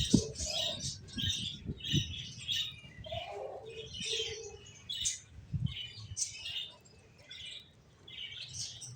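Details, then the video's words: Finches give steady high chirps and twittered bursts, with a few lower nasal notes and occasional soft thuds in the background. "Cute Birds Chirping Sounds | Beautiful Finches Sounds"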